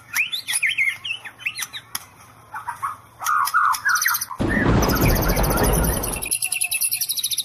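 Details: White-rumped shama in 'sambaran listrik' song: short rising whistles and warbled notes, a long harsh noisy burst, then a fast, very high buzzing rattle of rapid pulses.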